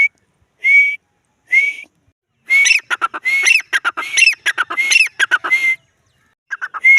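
A grey francolin gives a few shrill, upward-sliding whistles, then a fast run of loud, ringing, slightly scratchy notes before returning to single whistles.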